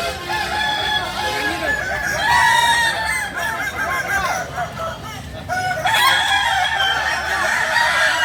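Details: Kukuak Balenggek chickens, a native breed from Solok, West Sumatra, crowing: several long, harmonic, wavering crows overlap, the main rise near the sixth second, with a constant noisy background throughout.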